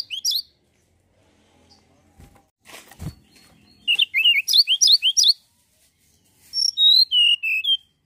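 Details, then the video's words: Mountain tailorbird singing actively, used to provoke other birds: a short high note, some clattering noise, then a fast burst of sharp upswept whistles and later a run of thin falling whistled notes. "tledekan gunung gacor pancingan burung anda"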